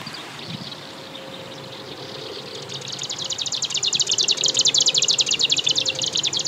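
Marsh Grassbird in song flight: a fast, dry chatter of high, buzzy notes that swells louder from halfway through. A faint steady low hum sits underneath.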